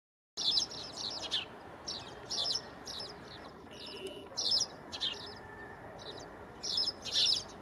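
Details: Spanish sparrow at Gáldar, Gran Canaria, in February 2023, choosing its next nest site; bursts of high, harsh chirping notes repeated roughly every second, over steady background hiss.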